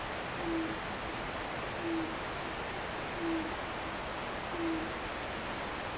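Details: Owl on the hill behind a house in Japan after sunset: four soft, low, clipped hoots evenly spaced about one and a half seconds apart, masked by steady rushing river water.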